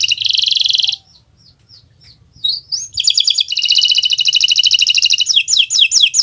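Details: Canary of the Kenari Nusantara type singing for training other birds: a dense buzzy trill, soft scattered chips during a pause, then a long rapid rolling trill ending in sharp rising repeated whistles.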